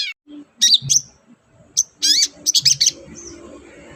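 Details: Long-tailed shrike song played to set caged birds singing: loud harsh rasping bursts with quick high whistled overlays, separated by short gaps, faint hum and low knocks beneath.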